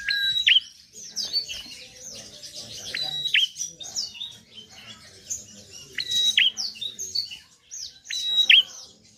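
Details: Prenjak, a prinia, singing in gacor style to get reluctant birds singing. High busy twitter runs throughout, broken by four loud phrases, each a flat whistle and a plunging note, spaced about two to three seconds apart.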